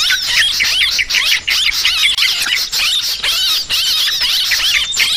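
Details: Noisy calling of sooty-headed bulbuls used as a lure. Thick, continuous high chatter with repeated looping squeaky phrases, broken by a few short gaps.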